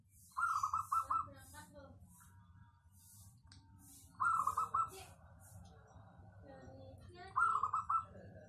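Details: Zebra dove of local stock, its crisp dense voice used as a lure for other birds: three trilled coo phrases roughly three to four seconds apart, with faint chirps and a soft low hum between.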